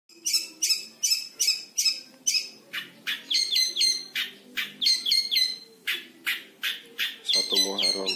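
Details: Five-month-old captive long-tailed shrike, still in training, fluently imitating lovebird and canary: a brisk run of harsh, buzzy chattering notes about two per second, shifting midway into clipped, descending squeaky phrases.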